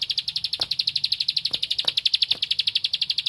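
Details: Bar-winged prinia singing energetically while seeking a rival: a fast, steady chain of sharp, high clicking notes, roughly a dozen per second, running unbroken throughout, with a few faint low knocks behind.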